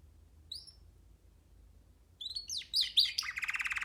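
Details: Baby canary at liberty on a hand: two soft isolated whistles after a pause, then a burst of jumbled rising notes leading into a fast buzzy trill.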